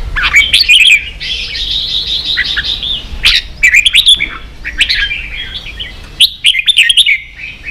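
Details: Red-whiskered bulbul in a heated competitive singing bout, alternating a drawn-out trilling warble with clusters of sharp, bright whistled chirps repeated in quick bursts.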